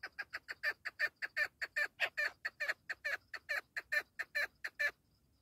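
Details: Partridge delivering a clear, steady series of about twenty raspy chuck notes at roughly two to three per second, stopping abruptly near the end into silence.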